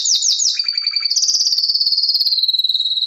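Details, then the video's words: Canary song opens with three quick sweeping notes over a lower trill, then settles into a long, fast, ringing trill that slowly drops in pitch. "Wonderfull Canary Singing"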